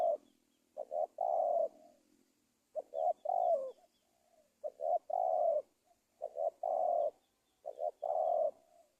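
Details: Spotted dove in Indonesia used as a lure to trap wild doves: low, mellow cooing phrases, each two quick short coos then one longer, slightly falling coo, repeated about every two seconds, with faint high chirps in the background.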